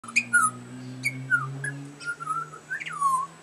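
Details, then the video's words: Butcherbird chirping for its dinner indoors: clear, fluted, downward-sliding whistles with a few sharp clicks between phrases, over a steady low indoor hum. "butcher bird singing"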